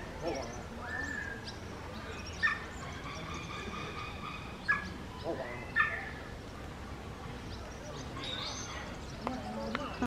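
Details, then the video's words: Common raven (Corvus corax) in vocal mimicry of speech, giving a few hoarse word-like utterances resembling "hola", spaced a couple of seconds apart over a steady background hiss. "common raven (Corvus corax) says "hola""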